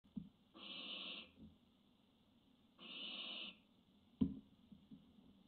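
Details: Barn owl on a webcam, 25 June 2017, giving two long, harsh hissing screeches, each about half a second long and a second and a half apart, followed by a single knock.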